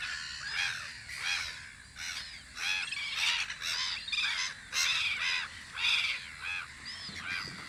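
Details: Gulls calling from their spring guard post on Audru polder, with a dense run of harsh, repeated yelping cries rising and falling in loudness, several birds overlapping throughout.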